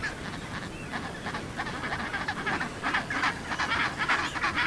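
Chinstrap penguins give harsh, braying honks in quick overlapping bursts, several birds calling at once over a steady low rumble of wind or surf.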